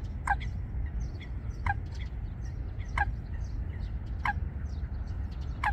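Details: A Eurasian coot (Fulica atra) pair building a nest among water plants at Wangsong Lake gives short, sharp, abrupt notes about every second and a half over a steady low rumble of wind or water.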